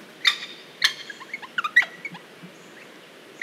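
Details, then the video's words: Wattlebird from Australia calling in the bush: harsh, sharp chopped notes and short clucks in an irregular burst, a few louder rasping syllables spaced under a second apart, over a quiet background. "Wattlebird Call Australia"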